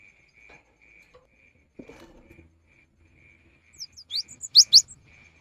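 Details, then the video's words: Cinereous tit in afternoon song that can prompt others to sing: after quiet moments with a soft rustle, a short burst of sharp, high, rising whistled notes near the end, with a faint steady background tone. "Kicau gelatik batu di sore hari ini bisa memancing gelatik lain untuk ikut berkicau"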